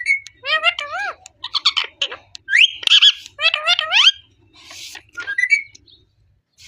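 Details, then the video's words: Talking parrot producing word-like phrases in a squeaky, nasal voice, with wavering harmonic syllables in short bursts, then a brief rising whistled note and quieter chatter near the end. "Talking parrot"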